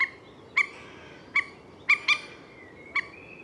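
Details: Common moorhen giving loud, ringing, abrupt notes, including a close double, with a thin drawn-out tone trailing after some.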